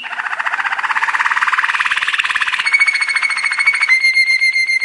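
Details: Belgian canary; training song; training young canaries to sing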